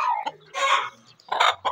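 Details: Two village hens quarrelling in the morning give harsh, nasal squawks in three quick bursts, each about a quarter-second long, over a low background hum; roosters are also said to be audible.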